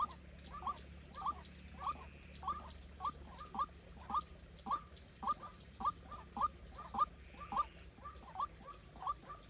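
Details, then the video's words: White-breasted waterhen decoy for trapping keeps up a long run of brief rising calls, about sixteen notes spaced evenly, sometimes paired, over constant faint hum. "Dợt chim cuốc mồi"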